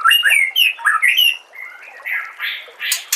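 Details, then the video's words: Brief white-rumped shama phrase from a compilation for training songbirds: quick, bright whistled notes swinging up and down, followed by softer buzzy and harsh rasping sounds. "MASTERAN SPESIAL TAHUN INI AUDIO JERNIH KOMPILASI MEWAH UNTUK SEMUA JENIS BURUNG MURAI BATU"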